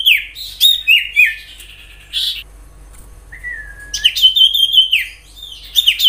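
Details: Wild common iora, used as a lure for other ioras, giving sweet whistled notes, several falling slurs, then a long level whistle rising into a trilled, wavering phrase; brief pauses between bursts.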